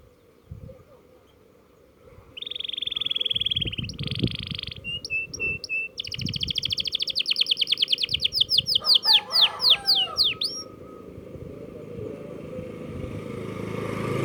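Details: Canary learning to roll: a few faint chirps, then a sustained buzzy trill, short notes, a long fast rolled trill breaking into sweeping whistles, then fading into background noise with low thumps.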